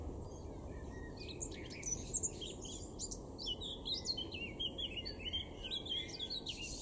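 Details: Garden in Weener, East Frisia, northwest Germany, April 2024: a male Eurasian blackcap delivers a fast, varied, high warble of tumbling chirps and twittering notes almost throughout, with a constant low background rumble.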